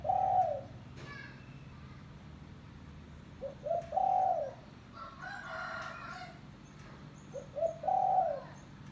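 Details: Village spotted dove calling to lure other doves, three phrases about four seconds apart. Each is a brief stuttered coo leading into a longer mellow note. A harsher, rougher sound is heard between the second and third phrases.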